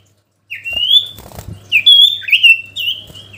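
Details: Sooty-headed bulbul in lively song, used to call a rival: high whistled notes rising and gliding, then a run of bright warbled phrases with quick pitch breaks.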